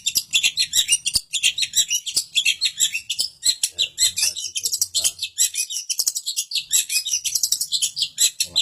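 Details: A long-tailed shrike (cendet) sings a fast, continuous stream of high, scratchy chatter and mimicked notes, with quiet voices in the background, in Samarinda, Kalimantan.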